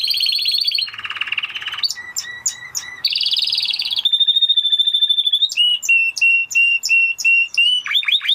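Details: Spanish Timbrado canary singing a varied, bright song: a buzzy trill, then rapid repeated metallic notes, a long sustained whistle and a quick series of sharp rising chirps, all high-pitched and clear.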